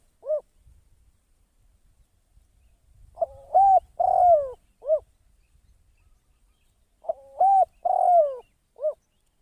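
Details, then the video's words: Spotted dove decoy bird for trapping, calling in a quiet setting. A lone short coo is followed by two full phrases. Each phrase has clipped leading notes, a longer falling coo and a short ending coo. "เสียง นกต่อ นกเขาใหญ่"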